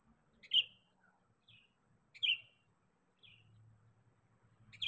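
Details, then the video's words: Sooty-headed bulbul seeking a rival, as a lure call: loud short bright notes about every 1.7 seconds, each followed by a softer echoing note, with a faint low hum. "Panggilan KUTILANG PIKAT GACOR. Mencari Lawan."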